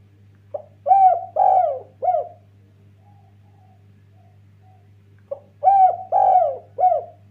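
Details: Derkuku, or spotted dove, a lively 'kuk 1' lure bird meant to excite rival doves, cooing two phrases about five seconds apart, each a brief pickup note and three hollow, slightly falling coos, the middle one longest.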